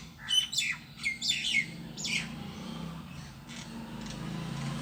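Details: Solitary bird in a tree gives three loud bursts of sharp, high squeaky chirps in the first two seconds, then falls quiet against a soft low background hum.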